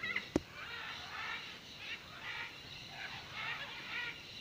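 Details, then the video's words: Many macaws gathered at the Blanquillo clay lick, Manu National Park, giving overlapping grating, screechy calls in rolling waves, softer and more distant, with a sharp knock at the start. "clay lick macaw"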